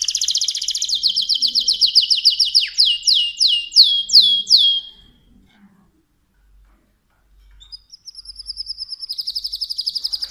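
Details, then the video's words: Mosaic canary singing: rapid trilled phrases, then a run of loud descending sweeping notes about three per second, a short pause, and a new high trill beginning. "تغريد كناري موزاييك Chant de Canari Mosaïque"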